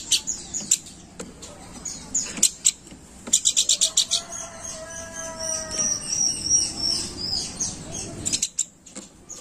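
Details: Planduk bukit singing in energetic gacor crewet style, used as a lure call: a short burst of rapid, very high ticking notes, then steady whistled tones that drift downward, with scattered clicks throughout.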